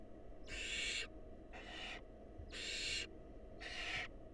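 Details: Four rough hissing bursts, each about half a second, come steadily from a wild barn owl nest box while the female feeds a nestling the mouse the male presented.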